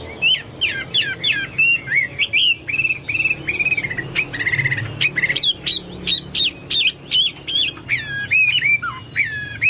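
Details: Chinese hwamei singing hard, likened to cucak Papua or cucak mas: varied whistled phrases repeated in quick series, some sliding notes and short sharp upstrokes, with a faint low background hum.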